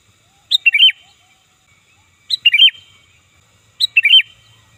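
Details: Sooty-headed bulbul (kutilang), loud lively calls used to lure birds and to tutor songbirds: three bright bubbly phrases, each a high note followed by quick warbled notes, repeated about every 1.6 seconds in a quiet background.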